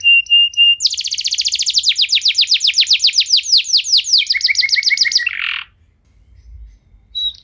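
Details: Loud canary song meant to prompt other canaries to start singing. A brief steady whistle leads into fast falling chirps repeated several per second, then a lower quick trill and a harsh burst, followed by near quiet.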